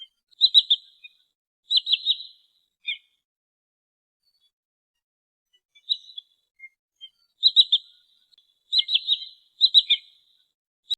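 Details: Wood sandpiper lure call for rice-field, marsh and water-edge birds: high, sharp whistled notes in quick triplets like chip-ip-ip. The bursts come in clusters with short silent gaps and occasional lower single notes.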